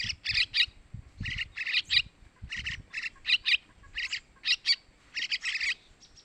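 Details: Sooty-headed bulbul chick calling for food, a lure for male birds: clusters of two or three hoarse, high chirps, repeated irregularly about every second, low thumping noise underneath.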